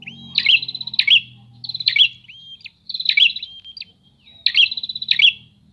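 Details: Four pulsed, buzzy prinia phrases roughly a second apart, each joined by thin whistled slides, as the birds answer one another; a faint low hum sits underneath.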